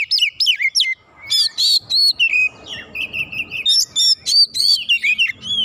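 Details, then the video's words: White-rumped shama heated up by a rival, singing rich whistled phrases with zigzag slurs, a buzzy stretch and steady chips, dense bursts over faint low background rumble. "KACER LAWAN LANGSUNG PANAS NAIK EMOSI BONGKAR ISIAN SEKALI PANCING"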